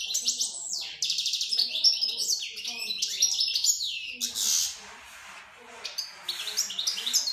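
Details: A European goldfinch sings to a female canary: a fast, tinkling run of liquid twitters, bright trills and brief buzzy notes, with short pauses between bursts.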